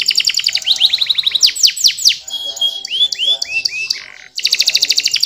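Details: Canary singing a fast, varied song: rapid trills of repeated notes, series of sweeping downward-slurred notes, a pure whistled descending phrase, a brief pause, then a buzzy rapid trill.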